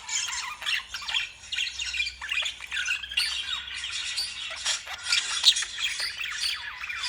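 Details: Lovebirds keep up a busy, piercing chatter of sharp squawks and short downslurred chirps, overlapping thickly, with one louder shriek standing out near the end.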